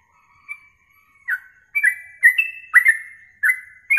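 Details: Yellow-vented bulbul in a masteran training recording for songbird contests, used for morning and evening tests. A faint thin whistle opens, then louder chirped notes with held whistled tails follow about every half second.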